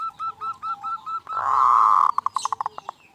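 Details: Local zebra dove sound used to set other zebra doves singing: a row of six even cooing notes, a long steady buzzy tone, then a fast run of short pulsed coos over faint background noise.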